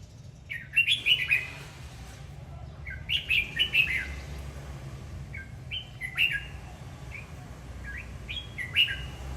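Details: Dancing Red-whiskered bulbul sings two full warbling phrases, then a looser series of single rising and falling whistles spaced about a second apart, with a soft continuous hum.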